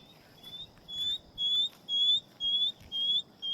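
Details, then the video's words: Shining bronze cuckoo at Coombabah Lakelands Conservation Area, Gold Coast, Australia, giving a steady run of high, thin upslurred whistles, about two per second, over faint background hiss. "that? It's the call of the shining bronze cuckoo."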